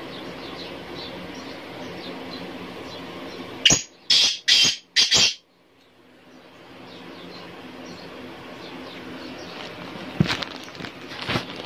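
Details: A Black francolin gives one loud call phrase of four harsh, grating notes in quick succession, against a steady background hiss and faint distant chirps.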